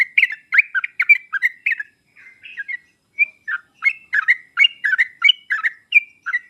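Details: Sooty-headed bulbul used as a master recording to stir a hesitant singer: rapid bubbling chirps, a brief softer pause midway, then renewed, evenly spaced lively notes.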